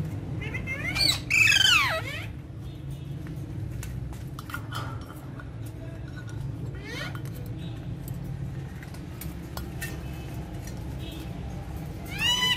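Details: Kept Alexandrine parakeets playing with their toys: a loud harsh squawking burst early on, scattered clicks and rustles from the toys, a further screech at the end, all over a constant low hum.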